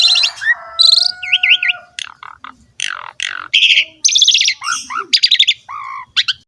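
An Asian pied starling pours out a fast, varied song of whistles, harsh chatters, buzzy notes and rising and falling slurred phrases, changing every half second or so.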